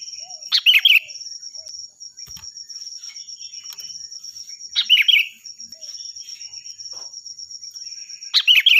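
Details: Loud, vigorous sooty-headed bulbul song recorded to train other songbirds: three brief, liquid bursts of warbled chirps spaced about four seconds apart, over a steady, pulsing high-pitched whine.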